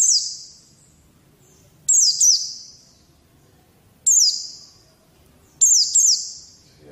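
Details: Training song of a white-eye, meant to get young birds singing: brief high whistled phrases, each a quick downward-sliding chatter, repeated roughly every two seconds over a quiet background.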